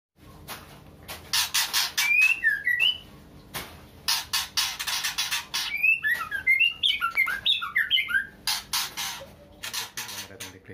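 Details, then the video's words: Female white-rumped shama in breeding condition calling to a male: sharp whistled notes that rise and fall, in quick clusters, alternating with loud, harsh, broadband bursts that come in rapid series. "Murai Betina Gacor full ngeplong memanggil jantan"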